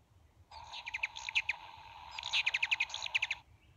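Ruby-throated Hummingbird giving rapid, high, squeaky chatter notes in two quick bursts over a steady low wing hum.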